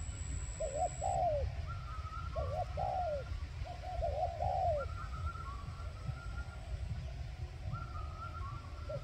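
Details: Spotted dove used as a decoy bird for trapping, giving low, repeated cooing phrases over steady low rumbling background noise, with a thin higher note line drifting behind.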